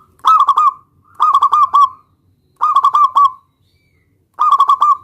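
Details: Local zebra dove singing actively to call a rival and draw an answer: four phrases of quick staccato cooing notes, each ending in a drawn-out note, about a second apart, in quiet surroundings.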